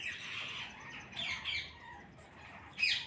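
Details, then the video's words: Parrots in a flock give a steady wash of harsh chatter with a few sharper screeches, ending in one loud shriek. "கூட்டமாக கிளிகள் சத்தமிடுகிறது"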